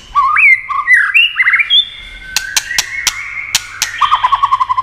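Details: A white-rumped shama, used as a stimulating sound for other shamas, gives a burst of varied whistled and warbled notes, then loud snapping clicks over a thin sustained note, ending in quick repeated chirps.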